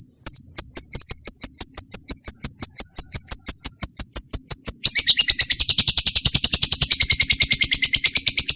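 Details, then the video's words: Trained lovebird's song: a steady series of sharp, high chirps about eight per second, building after five seconds into a dense, shrill, continuous chatter. "lovebird mp3 cocok buat pancingan burung kesayangan sambil ngopi"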